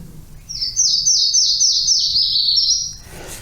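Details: Song of a Yellow-throated Warbler, formerly known as the sycamore warbler: sweet, high whistled notes repeated rapidly and stepping downward in pitch, then rising slightly at the end; quiet background.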